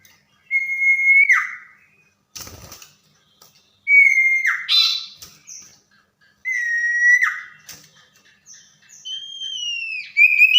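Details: At night a tame common iora sings long flat whistles that each fall abruptly at the end, given three times, then a higher wavering whistle; a short rattling noise sounds between phrases.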